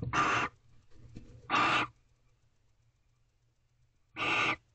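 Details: A female barn owl inside an owl box at 9:25 pm, 16 April 2023, concerned about someone just outside, gives three loud, rasping hissing bursts, each about half a second, with quiet pauses and a low hum between.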